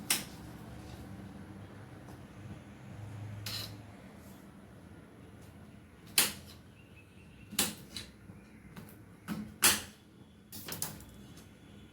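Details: Scattered sharp knocks and clicks, like doors or objects handled indoors, over a low steady hum, with no animal voice.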